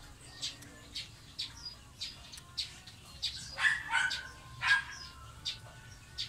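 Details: Eurasian tree sparrow, known locally as maya, introduced to the Philippines and common in urban areas: short bright chirps repeated about once a second, with a few thin whistled notes midway over a steady low background hum.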